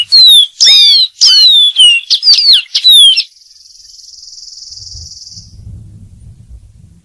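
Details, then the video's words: A Dark-throated Seedeater (Sporophila ruficollis) sings about six loud, clear whistled notes, some sliding down, in quick succession, followed by a thin buzzy trill and a low rumble. "Dark-throated Seedeater.Bird Singing."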